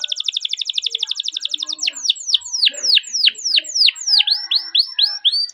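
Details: Canary long rolling song used to lure and train canaries: a fast, evenly repeated trill for almost two seconds, followed by loud slower sweeping whistles dropping in pitch.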